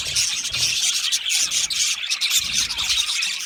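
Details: Budgie flock in an aviary, very high, thin chirps and fizzing twitters packed densely into a steady shrill chorus.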